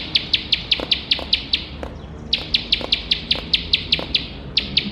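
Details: Competition-training recording of a bar-winged prinia singing: rapid bursts of crisp, high chip notes, briefly pausing near the middle, then resuming in fast regular strings with a faint hum behind.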